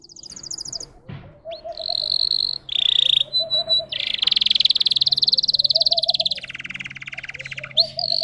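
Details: A caged-bred Russian song canary strings together short high trills, a clipped stutter of notes, then a long rapid rolling trill that drops to a lower buzzy roll, over a faint low hum.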